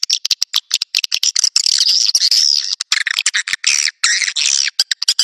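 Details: Swiftlet lure sound in the Naga Merah style, used to draw swiftlets to nest sites: dense, harsh buzzy chatter broken by quick sharp clicks, with a longer continuous twittering stretch in the middle.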